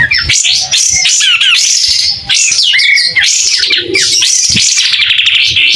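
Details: White-rumped shama singing energetically while fanning its tail, a clear voice: a rich run of whistled slurs and rapid chattering notes sweeping between middle and very high pitch, almost without pause, with a few low knocks beneath.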